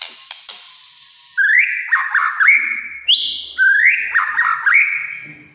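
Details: White-rumped shama singing its kretekan song, said to provoke other shamas: loud clear whistles sliding up and levelling off, broken by quick warbled twists, repeated in two similar phrases over a quiet background.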